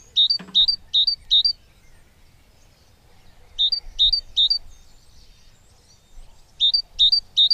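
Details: A young great tit being fed begs in bursts of three or four high, sharp chirps, each burst coming every few seconds over a faint low rumble.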